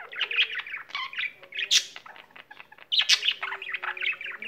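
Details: Pet budgerigar kept at home, singing tirelessly once it starts: a rapid, chattering warble of clicks, squeaky chirps and short buzzy notes, broken by brief pauses, with a faint low hum beneath.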